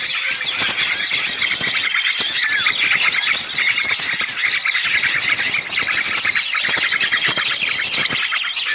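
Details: Lure recording of many small birds calling noisily together, used to attract birds for trapping: rapid high-pitched chirps and twitters in steady bursts, broken by brief dips around three seconds and seven seconds.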